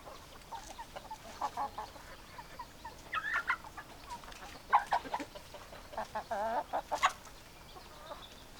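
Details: Hens and roosters clucking: short, harmonic, nasal clucks come in uneven bursts, with several louder squawking notes and a rapid run of quavering clucks near the end, over a low background hiss.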